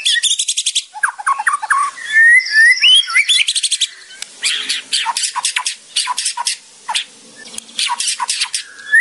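White-rumped shama singing a rich, varied song: rapid dry rattling chatter, then liquid whistled phrases and sharp descending notes, about three per second.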